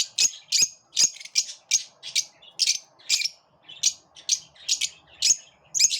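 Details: A group of lovebirds pushing each other away, giving a steady series of short, shrill, high-pitched squawks, about two per second, with faint low room hum underneath.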